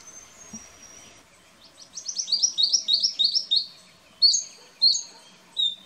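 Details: Eastern spinebill in an Australian backyard garden, filmed 14 April 2018 on a Nikon Coolpix P900: a thin high whistle, then a fast series of sharp piping notes, followed by three louder, separate downslurred chips.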